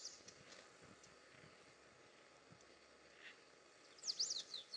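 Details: Pale-throated Pampa-Finch (Embernagra longicauda) at Morro do Pai Inácio, Chapada Diamantina, Palmeiras, Bahia, Brazil, 21 January 2019 at 17:05, gives a quick burst of high, sharply swept notes after several quiet seconds of soft outdoor hiss.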